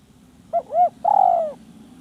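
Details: Village spotted dove calling a rival, also said to lure a female roaming nearby; three soft low coos, a short note, a rounded arched note, then a longer drawn-out note sliding slightly downward, over a faint low hum.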